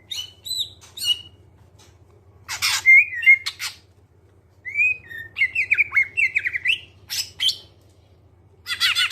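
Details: Clear-voiced greater green leafbird, a recording used to spur other birds into singing: scattered high chips and whistles, bursts of harsh chatter, then a run of sliding buzzy whistles, separated by quiet gaps, over faint hum.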